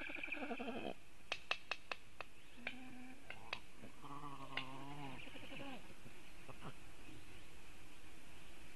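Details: Black stork defending its nest against a nearby raptor, Latvia nest webcam, 27 July 2018 at 10:11; brief rasping calls, a run of sharp clicks, then a longer wavering, low harmonic call over steady background hiss.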